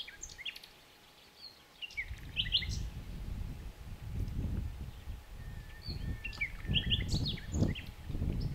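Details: Common nightingale song: scattered high chirps and brief whistled phrases in bursts, with a sustained low whistle near the middle, over continuous low-pitched outdoor rumble.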